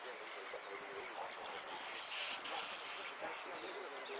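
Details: Amarillo (saffron finch) in a repique singing contest at Lanús, Argentina: five quick high downslurred chips, a long even rattling trill, then three more separate chips; faint voices and room noise behind.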